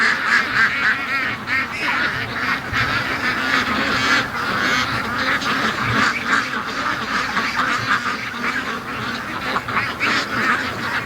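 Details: Flock of free-range ducks in their morning rush, a long, dense wall of raucous overlapping quacks and honks, rapid and unbroken, holding steady in loudness for the whole stretch.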